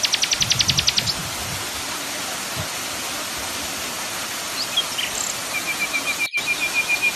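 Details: Common nightingale song set against waterfall noise for cage-bird training: a quick burst of high repeated notes, a few isolated chirps, then a steady, lower, evenly pulsed trill near the end, all over continuous rushing water.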